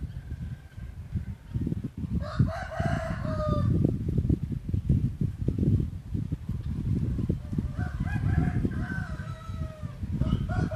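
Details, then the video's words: Hybrid junglefowl of a yellow line giving two crows spaced several seconds apart, each a harsh stepped phrase falling at its close, partly buried under heavy low rumbling noise. "Qaib qus txuam daj zoo nraug thiab qua zoo heev"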